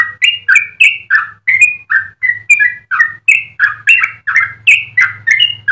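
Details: Tutor recording of a vocal yellow-vented bulbul: lively chortling song of paired, rising and dipping liquid notes in quick succession over a faint low hum.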